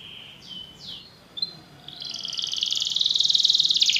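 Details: Belgian canary song meant to teach other canaries: a few soft, separate whistled slurs, then a quick rattling trill that swells louder over the last two seconds.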